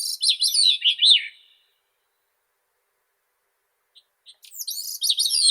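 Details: Grey-cheeked thrush, a shy thrush that sings from treetops: one thin, high, buzzy, tumbling phrase of about a second and a half that drops in pitch at the end, then silence, then the start of another phrase.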